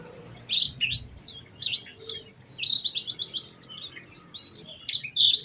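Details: Lure song of an Oriental white-eye, used to prompt others to sing: lively high whistles, rapid trilled chatter mid-phrase, then more slurred thin notes, clean background.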